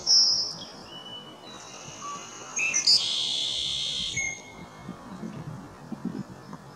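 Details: Song sparrow at Cranberry Lake on 5 8 18, opening with a sharp high note and scattered short whistles before a dense buzzy trill lasting over a second; faint low rustling and hum underneath.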